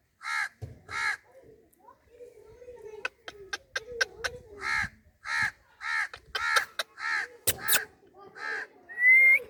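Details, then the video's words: Parrot delivering a long series of coarse, harsh squawks interspersed with rapid clicks, ending on a rising whistled note. "Talking parrot Beautiful parrot sounds natural"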